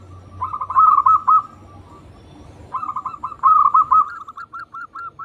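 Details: Local zebra dove song, intended as a lure to make other doves sing. Two rolling phrases of quick coos are followed by a spaced run of single notes over a low background hum.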